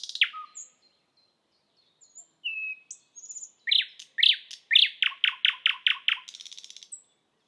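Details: Thrush nightingale singing in Estonia: scattered short notes and a flat whistle lead into loud, measured chock notes that accelerate into a fast stuttering run, closing with a dry buzzy rattle.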